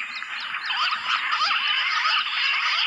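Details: Bush quail in the jungle, drawn in with calls played from a mobile phone speaker; a dense, squeaky chatter of overlapping high notes fills the short stretch.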